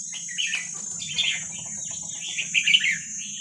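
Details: Red-whiskered bulbul from wild Vietnamese stock, played to train young birds: soft, somewhat muffled chattering warbles rising to a clearer bubbly phrase at the end, with a low hum and high whine behind.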